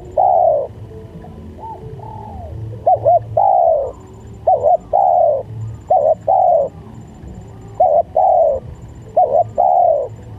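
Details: Spotted dove cooing used to lure doves, densely repeated phrases of quick doubled notes and longer falling coos, about thirteen per minute, some overlapping as if several calls layered, over low background rumble.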